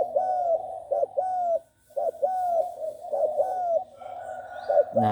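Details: Spotted dove, a young trained bird of six months in Bang Kaeo Tai style, delivers repeated soft hollow coos with long gliding endings, a brief pause midway, and a faint knock at the close.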